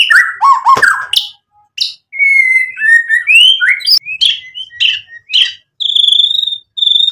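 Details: White-rumped shama in vigorous full song: harsh buzzy notes at the start give way to clear fluty whistles, quick slurred phrases and, near the end, two ringing high notes separated by short gaps.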